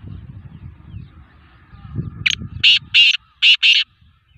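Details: Black francolin during training: after low rumbling background noise, a loud, rhythmic series of five harsh, rasping notes, delivered in two quick groups.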